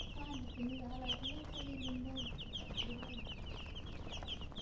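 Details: Baby chickens peep in quick overlapping bursts of thin, high chirps, while an adult hen's low, drawn-out clucking runs underneath amid constant barnyard noise.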